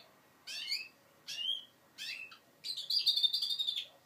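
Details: Learning goldfinch mule, five months old, gives three separate short chirpy phrases about a second apart, then a longer buzzy twittering trill.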